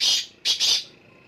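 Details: Black francolin calling, one of three birds in the area: a loud harsh buzzy burst, then after a short gap two more rasping notes close together, clear against a quiet background.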